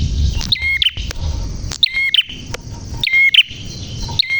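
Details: Prinia in vigorous, clear-voiced song: three loud, sharp, high chirped phrases, each a quick upslurred twitter, spaced about one and a half seconds apart over soft low background noise.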